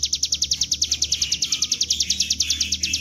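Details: Bar-winged prinia (ciblek gunung) singing ngebren-style for a lure: a brisk series of high, slightly downslurred clipped notes, about ten per second, steady throughout, over a low hum.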